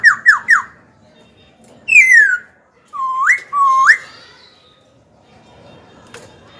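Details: Young Black-throated laughingthrush kept as a cage bird, singing to provoke rivals and teach young birds: three quick downslurred whistles, a long descending whistle, then two rising whistled phrases before quiet.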